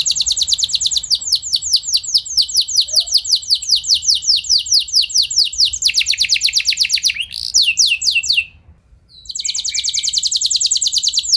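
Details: Canary singing to stimulate other canaries into long rolling song: a high, rapid, dense trill of repeated notes runs for seconds. The speed shifts midway, and a short break is followed by another fast roll.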